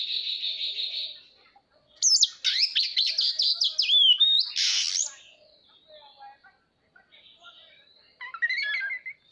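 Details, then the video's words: A displaying Oriental magpie-robin opens with a soft buzzy trill, then after a pause bursts into loud, fast whistled and warbled phrases with sweeping slurs. After a quiet gap, a short burst of twittering notes ends the passage. "Chòe than hót xòe"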